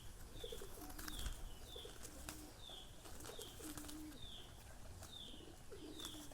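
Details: Pigeons, with males and females to be told apart: soft, low, drawn-out coos repeated in short phrases, under frequent thin, high chirps from other birds every half second or so and occasional sharp clicks.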